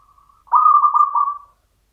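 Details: A local zebra dove, a Mataram-style champion, gives a quiet introductory murmur and then a loud, throaty rolling coo with regular pulses that ends in a drawn-out note.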